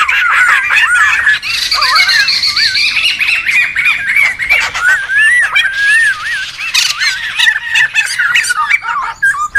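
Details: Wild laughingthrushes in a loud, noisy group, used for luring and tutoring birds: dense overlapping whistled notes and harsh chattering squawks, rising and falling without pause, several birds calling at once.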